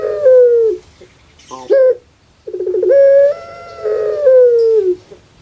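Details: Caged puter pelung dove, a bird kept on Java, Indonesia, said to sound like a crying baby: drawn-out, wavering, harmonic coos that slide downward, separated by a brief rough note and a pause.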